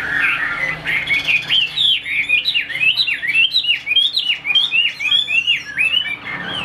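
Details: Chinese hwamei, a caged Vietnamese songbird prized for beak speed and voice, pours out a rapid stream of sharp rising and falling whistled notes, densely packed and high, over a faint low hum.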